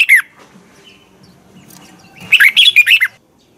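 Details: Red-whiskered bulbul morning song for bird training: one brief chirp, then a long quiet gap before a quick, lively phrase of warbled rising and falling notes.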